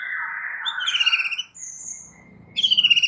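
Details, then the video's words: White-rumped shama song from a masteran recording used to soothe stressed shamas and spur vigorous singing: a buzzy, blurred warble runs into a sharp rising whistle, a high thin note, then fast trilled chips. "MASTERAN untuk Murai Batu Stress"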